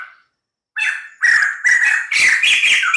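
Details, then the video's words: White-crested laughingthrush kept as a cage bird, giving harsh, loud chattering and whistled notes in rough bursts after a brief silence. "POKSAY JAMBUL PUTIH GACOR DOR"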